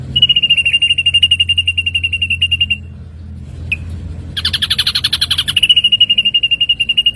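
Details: Ashy drongo song for training songbirds: rapid, steady runs of short whistled notes about four per second, a brief pause and click, then a harsher buzzy, chattering burst before the even note series resumes; faint low background hum.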